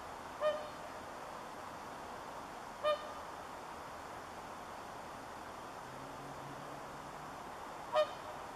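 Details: A swan on Kaleton pond, Siilinjärvi, at 6:24 PM on 26 September 2013, at +8°C, gives three brief, nasal, trumpeting honks, spaced several seconds apart.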